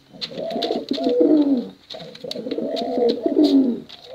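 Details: Male and female competition pigeons cooing, kept for contests and for luring young birds. Two bouts of deep, rolling, layered coos swell and fade, with dry clicking taps throughout.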